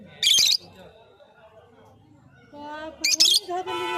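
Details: Lovebird giving a harsh, high, squawky chirp, then a quiet gap, then a quick cluster of two or three shrill chirps followed by a rougher buzzy note, with faint voices in the background.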